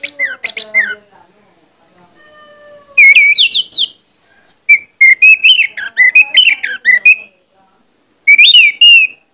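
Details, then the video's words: Orange-headed thrush lure song for stirring other males to sing: loud tumbling bursts of sweet, warbling whistles and rapid trills broken by brief silences, with a soft tonal sound in one gap. "pancingan anis merah plong ngotot membangkitkan gairah anis merah lain untuk bunyi"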